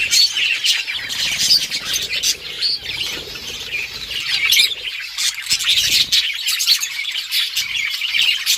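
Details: Budgies chirping as they play together, recorded October 30, 2023; a steady wall of overlapping high chirps, squawks and chattering warbles from many birds, with soft rustling and low bumps in the first half.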